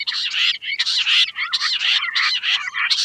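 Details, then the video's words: Loud quail sound made of harsh, broad, grating bursts, each about a quarter second long, given in quick succession with brief gaps. "Queen quail sound || Lohari ka Awaaj"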